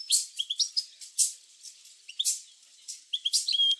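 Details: Short goldfinch song fragment played to spur goldfinches into singing: a few high, liquid chirps and twitters with a thin whistle at the end, among sharp clicking sounds.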